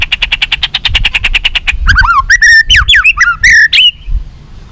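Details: White-rumped shama singing, used to stir captive shamas into fighting form: opens with a fast, even run of repeated notes, then breaks into loud, varied slurred whistles that swoop up and down in short phrases.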